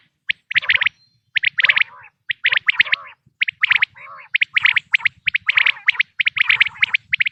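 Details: Quail voice offered for hunting. Crisp, high, clipped notes come in quick groups about once a second, with softer wavering gargles between some of them.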